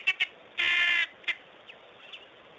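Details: Helmeted guineafowl: two short sharp clicks, then a half-second harsh, grating rasp, followed by a few fainter single clicks and soft notes.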